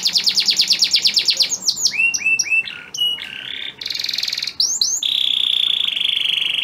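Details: Caged male canary singing to a breeding-condition female; rapid repeated high notes, then varied swooping phrases, a buzzy rattling trill and a long steady whistled tone at the end.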